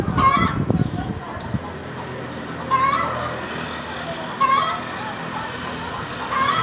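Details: A hen cackles with clear nasal squawks that rise at the end, spaced about one and a half to two seconds apart. Faint background murmur and a low hum sit beneath, with a muffled thump near the start.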